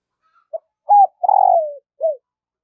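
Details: Decoy spotted dove trained to lure wild doves, giving one full cooing phrase: a soft short note, a firmer coo, then a long drawn-out coo sliding downward, closed by a brief final note. Clean, quiet surroundings.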